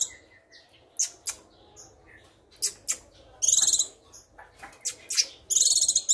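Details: Moulting young female Sumatran leafbird in full song: scattered sharp chips and short whistles, broken by two bursts of fast, high, buzzy rattling trill about two seconds apart.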